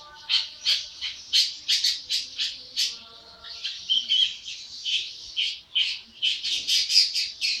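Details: An 80-day-old young long-tailed shrike sings vigorously, pouring out rapid harsh chattering notes in clustered bursts, several per second, with brief pauses between phrases.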